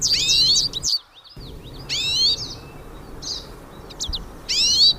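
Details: Hooded siskins, several birds singing in nature: quick bursts of high, sweeping twittered notes and sharp chips, broken by short pauses, with faint ambient hiss beneath.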